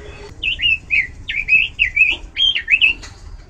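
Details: Loud Oriental magpie-robin song, rich in variation: a handful of fluid whistled phrases that swoop up and down, delivered about one per second.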